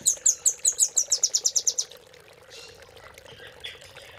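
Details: Velvet-fronted nuthatch singing a master song meant for tutoring caged birds, 'cililin' filling style. Shrill, clipped notes accelerate into a quick trill lasting about two seconds, followed by quiet with faint background chatter.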